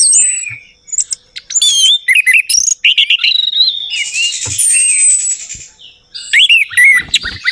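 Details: Orange-headed thrush, lure to draw song from a bird gone silent. Irregular phrases of sharp chirps and looping whistles, a long high whistle over a buzzy wash, then more twisting notes after a quiet spell.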